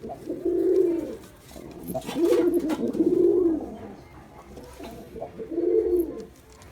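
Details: Male Girabaj pigeon performing, four separate throaty coo bursts spaced roughly two seconds apart, each swelling then fading, recorded indoors.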